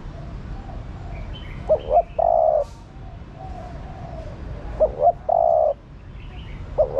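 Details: Female spotted dove calling to rouse the male. Short double rising notes lead into a drawn-out hollow coo, with the phrase repeated roughly every three seconds. Faint chirps from other birds and a low background hum.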